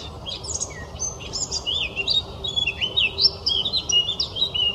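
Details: Singing blackcap pouring out a rapid, jumbled warble of high chirps and short whistled slurs, continuous for nearly five seconds over a quiet background.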